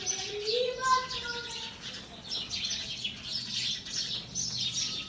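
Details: Sparrows chirping continuously in high, rapid overlapping notes, with a brief human voice at the start.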